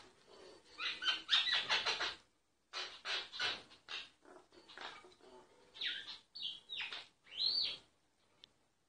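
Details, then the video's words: A myna singing, recorded without disturbing it: grating chatter at first, then separated raspy notes and several clear whistled slurs sweeping up and down toward the end. "Mynah singing"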